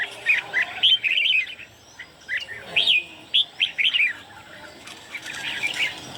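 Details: Red-whiskered bulbuls, three birds singing against each other: clusters of sweet whistled notes, a quieter stretch mid-way, then more rapid chirpy phrases.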